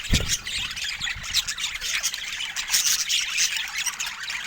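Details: Pet budgerigars give harsh squawks and quick chirps over a constant bed of busy warbling chatter, with a knock at the start.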